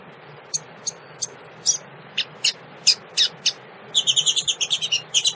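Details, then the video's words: Calling female double-collared seedeater, meant to excite males, gives a series of short, sharp, high chirps spaced under half a second apart, building into a fast chattering run of twinned high notes at the end; faint low hum beneath. "fêmea de coleiro chamado pra esquentar"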